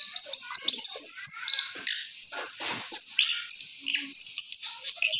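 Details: Rolling song of an orange-headed thrush following moult, a quick run of high whistled and buzzy notes and fluty slurs, phrases bunched in tight bursts about every half second, close and clear.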